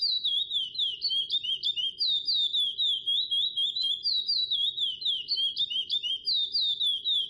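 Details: Curió, the lesser seed finch, repeating bright whistled notes that sweep down and up, strung together rapidly without pause, about four a second over a quiet low hum.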